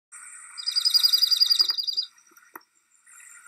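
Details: Dark-eyed Junco call, recorded for the Birds of Riverwood project at The Riverwood Conservancy: a fast, dry trill of evenly spaced notes lasting about a second and a half, over a steady high background whine.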